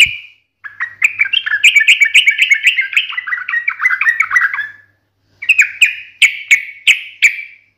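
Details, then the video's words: Sooty-headed bulbul singing eagerly in a sharp, combative wild style meant to make other bulbuls answer at once. A fast chattering run of warbled notes is followed, after a pause, by five loud separate slurred phrases. "KICAU SUARA trucukan gacor NGALAS TAJAM TARUNG ini MENJADIKAN burung trucuk gacor NYAUT SEKETIKA"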